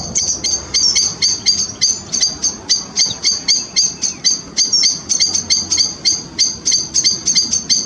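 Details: A grey wagtail family at the River Chelt gives sharp, high, metallic 'tzit' calls, about three or four a second in a rapid, uneven series, with a faint background hiss.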